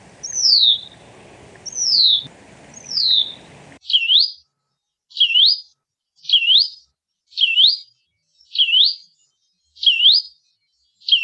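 Hutton's Vireo singing: three high, downslurred whistles, then a monotonous run of tight, clenched-sounding upslurred 'zweet' notes about once per second. Faint hiss early on.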